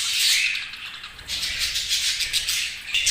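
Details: Busy budgie chatter with high, squeaky chirps and harsh rasping notes that rise and fall in quick, uneven bursts.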